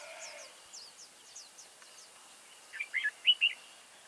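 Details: Red-whiskered bulbul at a trapping site on 30 October 2018, where decoy birds are used to lure wild ones. Faint high chirps come first, then a loud burst of short, warbled, whistled notes near the end.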